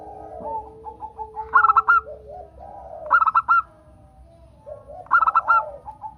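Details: Local zebra dove song used as a prompting recording for other doves: soft cooing lead-in notes, then three rapid bursts of bright, clipped, ringing coos roughly every two seconds.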